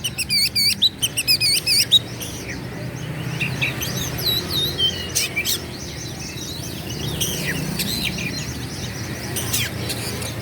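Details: Oriental magpie-robin belting out a rival-provoking song: a rapid series of looping, bouncing whistled notes at the start, followed by varied thinner warbles, upslurs and clicking notes over a constant low hum.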